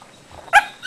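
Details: Pet Quaker (monk) parrot Seymore, practicing chatty talk while his owner prompts him, gives a single short, harsh, bark-like syllable with a rich nasal tone after a faint low murmur, with another note starting at the end.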